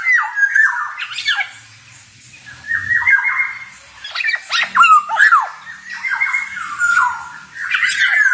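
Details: Black-naped oriole, a male singing actively in 'ngalas' style: series of harsh, nasal, wavering phrases and sharp clicks, separated by short quiet spells, with faint low rustling.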